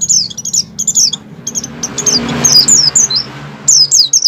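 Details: Captive-lure song of an Oriental white-eye in breeding condition: clustered bursts of shrill, high descending whistles, briefly broken by a broad rushing noise midway before rapid notes resume.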